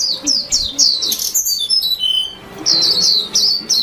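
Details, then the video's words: White-eye singing a chirpy, warbling song: rapid high, thin twittering notes, many sliding downward, run almost continuously with short breaks, with a faint low murmur underneath. "tiếng chim vành khuyên hót líu lo"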